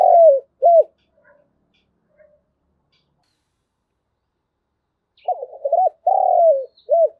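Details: Morning call of a spotted dove kept as a decoy for luring wild doves: a falling coo and short arched note, several seconds of silence, then a full phrase of rapid coos, a long falling coo and a closing arched note.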